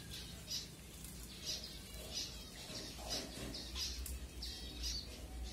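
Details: Feeding-time finches in Kanyakumari, Tamil Nadu, India, captured with a Redmi Note 7: bright high chips repeated roughly every half to one second, uneven in rhythm, over a low background hum.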